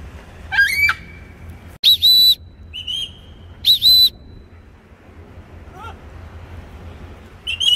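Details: A pet blue-and-yellow macaw, teasing its owner, who is telling it to go to sleep, gives short bursts of loud, high whistles and harsh squawks with brief pauses between, in an otherwise quiet room.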